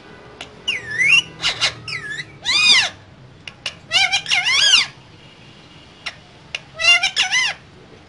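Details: Two green parrots kept in a cage, chattering and talking: bursts of harmonic, warbling squawks and speech-like syllables arriving in clusters with short pauses, high and bright, plus a few sharp clicks.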